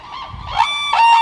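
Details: Red-crowned crane at Kibiji Tsuru no Sato in Soja, Okayama Prefecture, Japan, giving two short honking notes with strong stacked overtones, the second note longer and steady, with a faint low rumble beneath.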